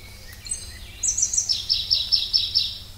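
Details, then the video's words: A Pallas's leaf warbler (Phylloscopus proregulus) sings a very high, thin run of notes, then repeats bright chirping phrases about five times a second over a faint low hum. "try to hear this Pallas's leaf warbler"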